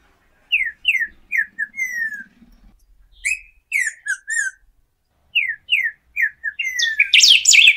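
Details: Golden-billed saltator, known locally as pepitero or picahueso, singing: clear downslurred whistled notes in quick series of four or five, repeated after short pauses, ending in a burst of rapid high chatter.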